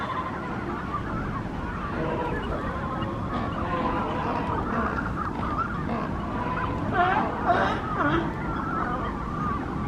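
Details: Nesting colony of Brandt's cormorants at Monterey on a morning walk: a busy chorus of overlapping wavering, honking calls with a louder burst near the end, over a constant low rumble.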